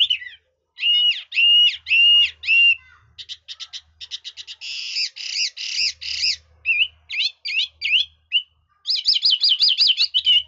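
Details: Red-whiskered bulbul with varied, voice-switching song: three loud arched whistles, then rapid clicking bursts, harsh buzzy phrases, sharp single notes and a fast rolling series of wavering whistles near the end.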